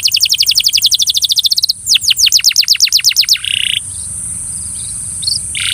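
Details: Belgian canary singing to coax another canary: a rapid bright trill of falling notes, a slower series of downslurs, then brief buzzy notes and quieter chirps.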